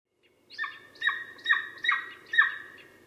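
Golden eagle giving five yelping, slightly hoarse notes, about two a second, mid-high and evenly spaced, over a low steady background hiss.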